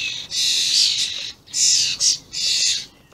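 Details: Juvenile and adult common starlings, 28 May 2016: long wheezing, hissing screeches, including one sustained about a second, followed by shorter rasps.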